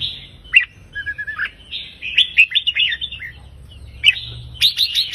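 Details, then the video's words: Red-whiskered bulbul delivering a 3-4-5 counting-note song line to stir other birds: clear whistled phrases rising and falling, a lower warbled segment, then bursts of rapid bright notes; light background hum. "นกกรงหัวจุกสายนับดอกเพลง 3-4-5 ยั้วนกฟังนกคึก"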